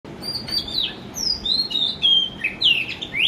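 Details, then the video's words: A male Oriental magpie-robin sings in the morning, a varied run of clear, high whistles and quick sliding notes, several phrases in about three seconds, over a faint steady background hiss. "Melodic appearance of Oriental Magpie Robin Male"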